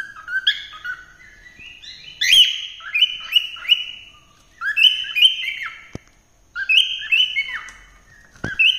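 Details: Cockatiel singing a melodious song of clear whistled phrases, mostly level notes with short rising and falling slurs, given in bursts with brief pauses between them.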